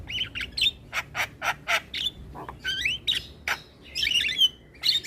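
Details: Asian pied starling singing, played every morning so young birds learn it: a rapid series of short harsh rasping notes, then slurred rising whistles and a loud squealing chatter near the end.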